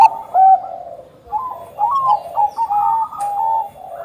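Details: Perkutut bangkok, a Bangkok-type zebra dove, cooing vigorously as a singing lure; a loud opening coo, a short pause, then a chain of clipped, level, mellow notes.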